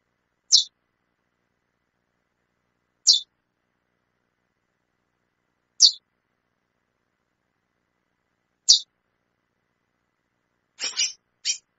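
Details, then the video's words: A female chestnut-bellied seed finch calls persistently, giving short, high, sharp chips about every two to three seconds and ending with a quick double note, in a quiet setting. "fêmea de curió chamando muito"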